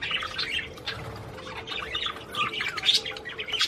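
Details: Budgerigar singing to stimulate the female to mate: continuous chattering warble of buzzy, scratchy notes and short chirps, with a steady low hum underneath.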